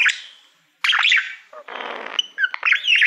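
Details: Male pet budgerigar singing to the reflective surface of a silver award plaque, as he loves mirrors: buzzy, chattering warble bursts around mid-high pitch, a short pause, then a scratchy noisy stretch and more squeaky twittering.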